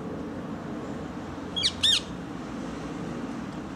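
A rose-ringed parakeet gives two quick, harsh, high screeches in close succession over a steady low rumble of background noise.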